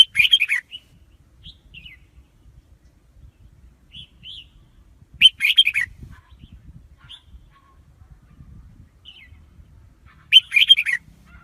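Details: Red-whiskered bulbul song used as a trapping lure for wild birds: three short, rich, chattering warbled phrases roughly every five seconds, with scattered thin whistled notes in the gaps and a faint low rumble.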